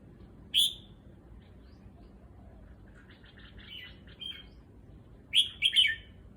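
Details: A caged red-whiskered bulbul at a new place, still settling into its new cage, gives a sharp lone whistle, some soft twittering notes, then a loud rapid three-note whistled phrase at the end.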